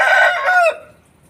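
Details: Aseel rooster giving the loud, hoarse tail of a crow that slides downward and breaks off after about three quarters of a second, then fades into quiet.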